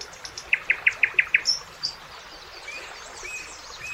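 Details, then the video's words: Common nightingale singing in summer beside a river: a quick burst of six sharp, evenly spaced notes, then two high, thin whistled notes, with faint chirps of other birds behind. "Magical Nightingale Singing"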